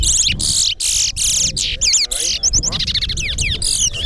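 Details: Towa towa (chestnut-bellied seed-finch) singing in a bird race competition at Alligator Pond: loud, rapid bursts of high whistled and buzzy notes with swooping slurs, separated by brief gaps, continuous through the clip.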